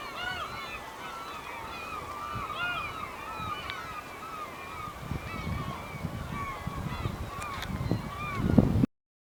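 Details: Black-tailed gulls, a flock of over a hundred at a port in Hokkaido, Japan, recorded August 2010: continuous overlapping mewing calls, with low rumbling noise and handling sounds growing louder toward the end.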